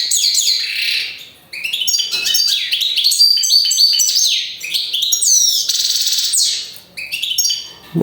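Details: Rapid tinkling song of a European goldfinch, high chirps and sweeping notes tumbling in dense bursts, dropping away briefly near two and seven seconds before resuming; recorded up close in quiet surroundings.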